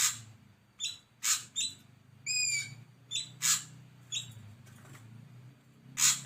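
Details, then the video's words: Ashy drongo mixing short harsh rasps with whistled notes and one clear, down-slurred ringing whistle, over a steady low background hum. "SUARA KHAS BURUNG SRIGUNTING ABU-ABU"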